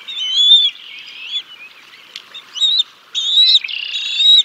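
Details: At the Decorah North nest, 6 May 2022, a male bald eagle feeds fish to the chicks until the female takes over; squealing, piping whistles in clustered bursts, some clipped and abrupt, with short gaps between.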